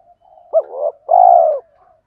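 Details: Spotted dove, from a male and female pair calling to stimulate trained birds, gives one phrase: a quick upward-flicked note, a wavering middle section, then a long mellow coo that slowly falls.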